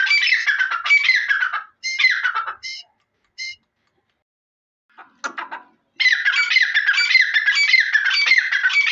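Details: Harsh, rapidly pulsed chattering from a grey francolin (Irani teeter) opens and closes the recording. A few brief high notes and a short pause break the middle.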